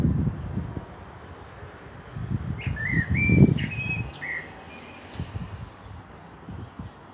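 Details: Common blackbird singing in Meschede, Germany, on 18 May 2021, fieldfares nearby: one warbled fluted phrase with a few high chips in mid-recording, then quiet, against low rumbling bursts.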